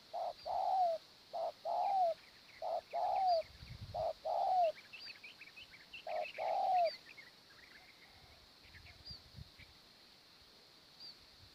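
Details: Morning decoy trapping of spotted doves: repeated two-part low coos, a short note then a longer slurred falling one, come in several phrases early on. Scattered high chirps from small birds continue under a constant high insect drone.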